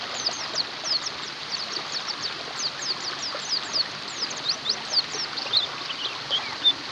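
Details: White-eyes, offered as therapy for white-eyes that have stopped singing: a dense, continuous chorus of many thin, high chirps and short downslurred whistles overlapping throughout, with a steady soft hiss beneath.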